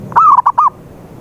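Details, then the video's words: One zebra dove phrase used as a lure for a silent dove: a smooth drawn-out coo followed quickly by two short rounded coos, clear and close. "PANCINGAN SUARA PERKUTUT BISU"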